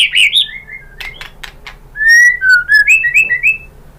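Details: White-rumped shama lure song: high chirping notes and sharp clicks, then a sweet sequence of clear whistles sliding down and back up in quick succession.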